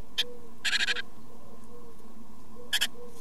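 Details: Great tit nestlings being fed by their parents give three bursts of harsh, hissing chitters, the middle burst longest, over a low rumble and a faint repeated hum.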